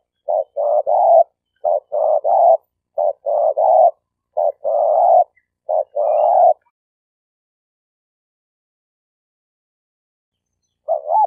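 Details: Spotted dove decoy for trapping, Malaysia: a fast series of short, husky, paired coo notes for about six seconds, then a pause and a single looping note. No background noise.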